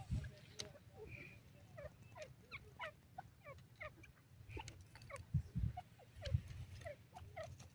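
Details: A male grey francolin, in the jungle on its first day, gives a steady run of short, upward-flicking call notes, roughly one per second, over low background rumble and occasional thumps.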